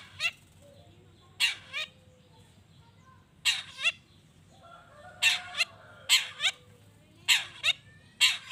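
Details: Long-tailed shrike singing to stir other shrikes into replying: spaced harsh chattering bursts, often in pairs about half a second apart, over soft whistled notes of distant birds.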